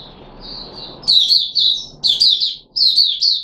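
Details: Puteh Raja red-whiskered bulbul, a caged bird fed juice, one mealworm and a tonic, 13 April 2021; a soft thin note comes first, then three loud bursts of quick, liquid whistled notes.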